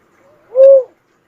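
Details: Cuckoo-dove giving one steady, hollow hoot-like coo of under half a second, introduced by a very faint note, held level before fading downward.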